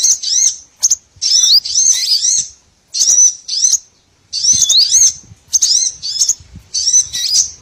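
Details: Bursts of shrill, twisting whistled chirps from small birds, separated by brief silences; a lure for catching all kinds of small birds.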